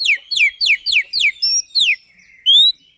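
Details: Kacer, the white-rumped shama, singing a rapid run of sharply descending whistled notes about every quarter second, followed by a high clear note and a final rising whistle.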